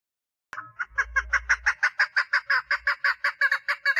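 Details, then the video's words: Mating call of a female chukar partridge: after a sudden start, rhythmic hoarse chucking notes repeat about three per second, with a low rumble of handling noise early on. "Female Chukar Partridge call - صوت الحجل أنثي - صدای کبک ماده"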